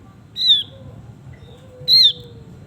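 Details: Singing male Javan grey-throated white-eye giving two bright, descending whistled notes about 1.5 seconds apart, with a faint low sliding tone in the background.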